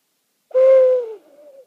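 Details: Owl calling at night in a meadow where two owls were calling back and forth: a single long, steady hoot that drops at the end into a quieter, wavering tail.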